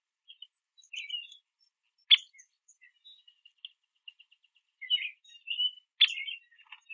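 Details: A male Downy Woodpecker eating sunflower seeds at a backyard platform feeder makes quiet, varied chirps and twitters, broken by two sharp, abrupt pik notes, in an otherwise silent setting.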